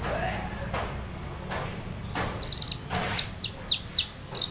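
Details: Long-tailed shrike, used as a singing lure for a silent shrike, giving high thin buzzy notes and quick downward-sweeping whistles, fairly soft, with scratchy bursts between phrases.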